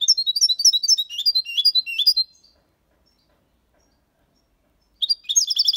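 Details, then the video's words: Six-month-old European goldfinch singing a clean Malaga copy-style song with colios, quejas and ornaments, used to tutor young birds: a fast run of high buzzy, twittering notes for about two seconds, a silent gap, then a new phrase begins. "Jilguero cantando Limpio 6 meses/ chardonneret chante la copia Malaga / Goldfinch singing"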